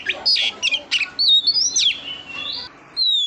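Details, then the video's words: Female oriental magpie-robin calling to stimulate the male gives harsh chirps, then long drawn-out whistles rising and falling, and a final level whistle. "Tiếng chòe than mái kích Trống"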